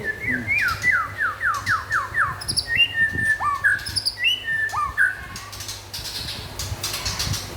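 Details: White-rumped shama of local and forest stock in lively song: a quick run of about eight down-slurred whistles near one pitch, then longer rising and falling whistled notes, with faint clicks and low hum behind.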